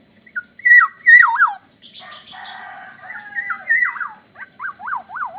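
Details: Lively kepodang, the black-naped oriole, singing Bali style. Rich whistled phrases drop in wavy slurs. A harsh noisy burst comes midway, then rolling rise-and-fall whistles close the clip.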